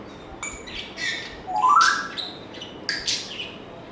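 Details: African grey parrot giving a short upward-sliding whistle amid noisy chirps and sharp clicks.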